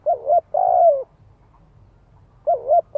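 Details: Spotted dove calling to lure other doves, a lure bird's voice: low hollow coos around 500–800, a short note then a longer drawn coo, a pause of over a second, then the phrase starting again.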